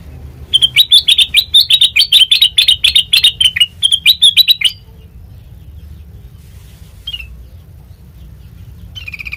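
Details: Sooty-headed bulbul song serving as a lure for training birds: a dense, fast chatter of roughly twenty sharp, bright notes over four seconds, then near silence with one faint chirp and low background rumble.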